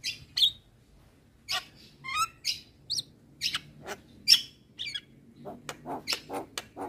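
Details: Javan myna song used as tutoring material for caged mynas that sing little: scattered sharp chirps and short rising whistles, then a quickening run of clipped notes near the end over a faint low hum.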